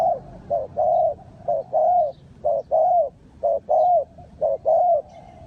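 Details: Spotted dove from Ninh Thuận in a bird-trapping setting, cooing steadily: a short note followed by a longer, slightly rising croo, the pairs repeated about once a second against a quiet background.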